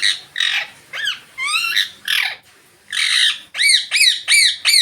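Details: Green Indian ringneck parakeets in sunlight, giving loud harsh squawks and screeches, some with buzzy rising-falling sweeps, then a fast run of sharp arched shrieks near the end, about three calls a second.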